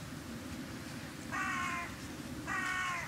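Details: Carrion crows from a large flock visited on a winter bird-feeding round in January 2021; two harsh, drawn-out caws about a second apart over a steady low rumble of background noise.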